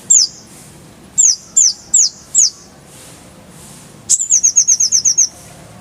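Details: Oriental white-eye song used as tutoring material for cage birds: four sharp, high descending chirps spaced about half a second apart, a pause, then a quick rapid trill of nine bright notes; faint background hiss.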